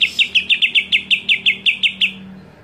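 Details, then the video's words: Greater green leafbird giving a scream that provokes other leafbirds: a fast, even series of about thirteen short, sharp downward-slurred notes, steady in pitch, ending abruptly, with low background hum. "JERITAN CUCAK IJO BIKIN EMOSI IJO LAIN"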